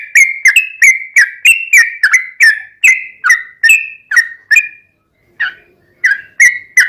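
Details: Yellow-vented bulbul in ropelan style, a rapid non-stop song with ngelituk and straw-headed bulbul-like phrases, used to tutor and lure caged bulbuls: sharp whistled downslurred notes repeated about three per second, a short pause, then resuming.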